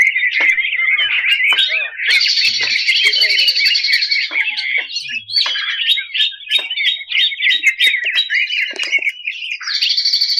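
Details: Greater green leafbird singing a harsh, energetic master song for training contest birds; rapid scratchy chattering with bursts of high, fast, ringing trills, nearly continuous throughout.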